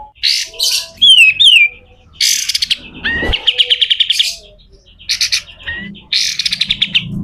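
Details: Pied triller in harsh besetan kasar song for training other birds: raspy, noisy bursts alternate with sharp downslurred whistles and short rattling series of clipped notes, the phrases broken by brief pauses.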